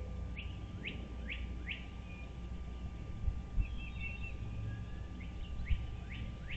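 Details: Bald eagle at its nest on Dale Hollow Lake, a reservoir on the Kentucky–Tennessee line, at 07:24 on 17 April 2023, giving runs of thin, rising, piping notes in quick series, then a pause and another run, over a low hum and knocks.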